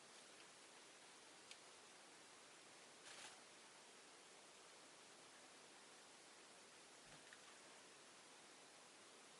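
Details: Near-silent steady hiss, broken only by a few faint clicks and one soft rustle.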